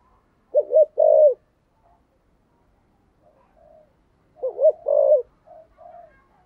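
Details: Spotted dove of the thổ voice style used as a decoy bird, two separate bursts of low, wavering cooing notes with soft quiet coos between them and a silent background.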